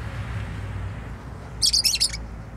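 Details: Pet bird at home lets out a brief cluster of three high, sharp chirps in quick succession against a steady low background hum.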